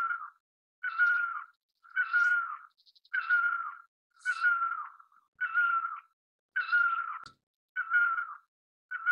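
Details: Great barbet (Psilopogon virens) calling steadily: eight or nine nasal, cat-like wailing notes, each dipping slightly in pitch, spaced about a second apart. Brief soft chips sound between some notes against an otherwise quiet background.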